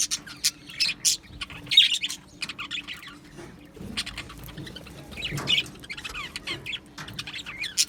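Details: Pet budgerigars in an aviary colony, Australian parrots, giving scattered short chirps and warbled notes in brief bursts, with quiet gaps between them and a steady low hum underneath.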